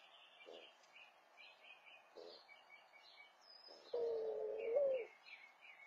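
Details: After nest building, a mourning dove calls for its mate: a few faint, short low coos spaced irregularly, then one loud, sustained hollow coo with a small upward swing. Other small birds chirp and warble throughout.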